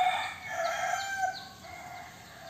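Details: Tail end of a young rooster's crow, a strained harmonic note fading out over about a second and a half, with faint high chirps from small birds in the background.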